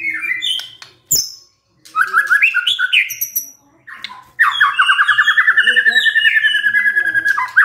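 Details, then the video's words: White-rumped shama, a stressed murai responding to a lure recording, singing loud varied phrases of whistles and rapid trills, ending in a long fast trill near the same pitch with harsh chattering notes mixed in. "SEKETIKA MURAI STRES SONTAK BERBUNYI DENGAR PANCINGAN INI"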